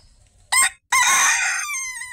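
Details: Bantam rooster giving a quick harsh crow: one short sharp burst, a split-second silence, then a loud drawn-out note that fades and drops in pitch toward the end.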